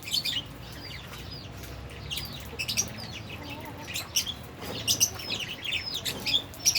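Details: Albino and Fischer's lovebirds eating and playing together produce busy, overlapping high chirps and scratchy twitters in quick irregular bursts, with faint fluttering.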